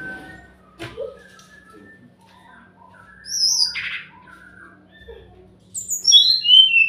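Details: Sumatran laughingthrush song used as a lure to make silent birds answer. Scattered short whistled and chirping notes at first, then a louder burst of high whistles near the middle and a bright run of descending whistled notes at the end.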